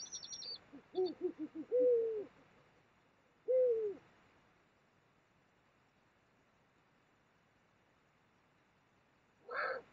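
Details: Eurasian eagle-owl mating on the Mosel, Germany, late January 2022: a quick run of short, low warbling notes, then a longer drawn note and a single falling note, with brief high chirps at the start and a rough burst at the end.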